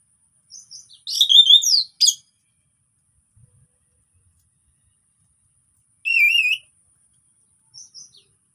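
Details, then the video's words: Orange-headed thrush in relaxed song used to stimulate silent birds: sparse phrases of sweeping, buzzy whistles and a wavering trilled note, broken by long silences. "KICAUAN SANTAI ANIS PEMANCING ANIS MACET BUNYI"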